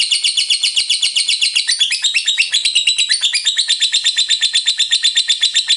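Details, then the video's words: Continuous lovebird ngekek, a rapid stream of squeaky, buzzy notes at about four per second, steady and unbroken throughout, with small pitch shifts in the middle. "LOVEBIRD FULL NGEKEK"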